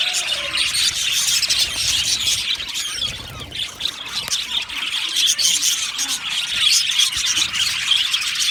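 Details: Budgerigar colony in an aviary, content birds producing rapid overlapping chirps and sharp squawks, a dense high chatter that dips briefly near the middle then builds again.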